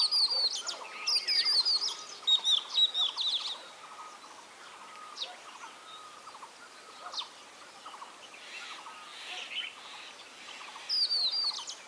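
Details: Oriental magpie-robin singing varied clear whistles and sweet chirps in bursts, loudest at the start and end, with other faint birds and a soft background hum.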